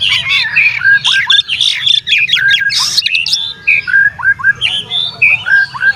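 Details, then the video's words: Oriental magpie-robin singing to provoke rival magpie-robins into agitation: dense, fast string of varied whistles, harsh squawks and chattering notes, about three to four per second, with short pauses and a faint low hum below. "SUARA BURUNG KACER GACOR"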